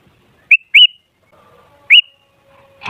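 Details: Sooty-headed bulbul, used as a lure to get other bulbuls singing: three short, clear, rising whistled notes, two close together and one after a pause, with a faint low hum between.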